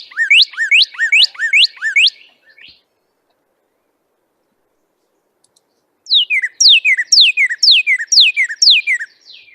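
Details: Northern Cardinal song, common at this time of year in spring: bright, clear whistles slurring sharply downward, repeated about twice a second in two quick series separated by a pause.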